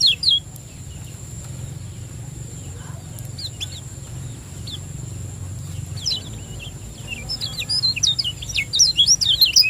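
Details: Lombok lemon-bellied white-eye as a singing lure: a brief high chirp at the start, mostly quiet with scattered thin notes, then a fast run of sharp, high zigzag chirps building toward the end.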